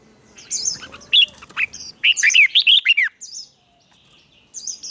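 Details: Red-whiskered bulbul competition song for training: scattered high chirps, then a loud run of six or seven quick, downward-swooping warbled notes, then a brief pause and a high trill.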